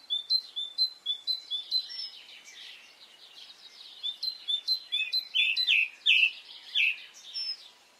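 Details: Spring morning birdsong in Brittany, series of quick high chirps in bursts, pausing briefly midway, then louder, fuller warbled notes building toward the end.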